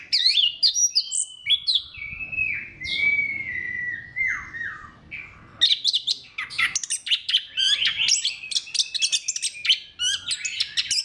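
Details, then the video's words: Anis kembang, the orange-headed thrush, singing as a lure for other thrushes: slurred descending whistles first, then a long rapid run of sharp clicking chirps and trills. "KICAUAN SEBENING KRISTAL ANIS KEMBANG GACOR PANCINGAN MANJUR"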